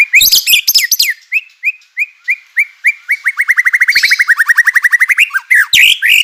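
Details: White-rumped shama song meant to provoke other shamas into singing, suited to mornings: a few high sweeping notes, then a long rapid series of short repeated chips speeding up, ending in bright sweeping phrases.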